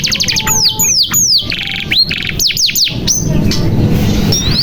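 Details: Canary song meant to encourage reluctant birds to sing: quick whistled trill, looping downslurred whistles, buzzy rolled phrases and sharp chips in a lively varied sequence.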